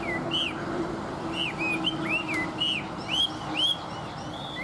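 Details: Chinese hwamei, a tame bird said to sing well, producing evenly spaced arched whistles, each rising and dropping smoothly, roughly two per second, over faint constant background hum.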